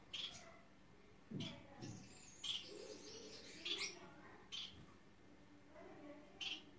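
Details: Gouldian finch during a courtship dance while choosing a mate: short, thin, high chirps repeated every one to two seconds, with soft low murmurs and rustling beneath.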